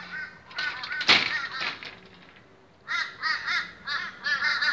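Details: Boisterous Australian crows at a morning gathering, giving harsh, nasal, wavering caws in short bursts with a quiet gap between bursts. Several birds call together near the end.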